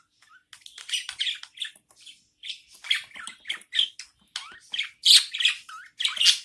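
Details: Budgie mother feeding her newborn chicks, loud, continuous harsh chattering and squeaky begging cries, rapid and overlapping, growing stronger toward the end.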